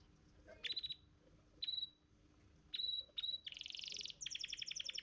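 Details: Contest-champion canary in a training recording: three isolated short high chips with whistled tails spaced about a second apart, then a loud buzzy roll running into a fast rattling trill.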